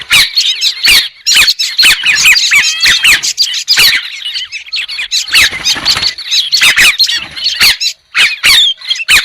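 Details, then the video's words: White-crested laughingthrush giving a busy chorus of squealing, twisting notes and harsh chatter, broken by many sharp clicks and a brief lull near the end. "TIẾNG CHIM HÉC SOAN-CHIM ĐẦU TRẮNG"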